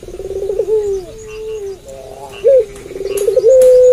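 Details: Puter pelung dove, an eager caller, cooing at night. A rolling trill slides into a long gently falling coo, then a hooked note, another bubbling trill and a sustained steady coo. Faint clicks are heard.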